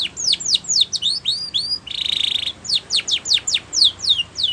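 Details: Spanish Timbrado canary training song: quick falling whistled notes and upward slurs, broken by a short buzzy metallic trill, then more rapid descending whistles.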